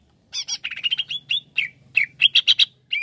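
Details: Short, excited greater green leafbird phrase: rapid buzzy chips and slurred whistles tumbling together over about two seconds, with a faint low hum beneath.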